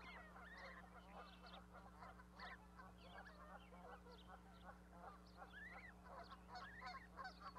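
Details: Goose family with newly hatched goslings on a Montana osprey platform near Charlo, May 12, 2020. Rapid, dense chatter of short calls with occasional rising arched honks, steady hum underneath.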